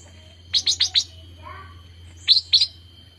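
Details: Fledgling bulbul (cucak rante) practising its first song: a rapid burst of four high, clipped chirps, a brief lower warble, then a pair of bright chirps, with a thin constant hum beneath.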